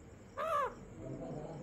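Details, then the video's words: Pet parrot imitating a crow when its owner asks how the crow calls: one short, hoarse, arched caw with stacked harmonics, followed by quiet room noise. "How Mithu calls like a crow"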